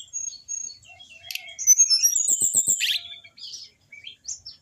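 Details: Orange-headed thrush song used to coax caged birds into singing: thin high whistles and chirps, a fast bright trill, a few low dry ticks, then a harsh note and short slurred whistles.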